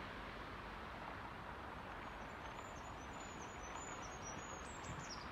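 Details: A Goldcrest sings a very high, thin series of quick, see-sawing notes for the last few seconds, the year's first song heard, 10 March 2022, on a footpath in Haga, faint beneath a steady roar of traffic.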